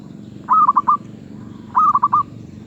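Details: Zebra dove, called merbuk and described as a medium-voiced singer, gives two quick cooing phrases about a second apart; each is a short run of four clipped, slightly falling notes. A steady low hum sits underneath.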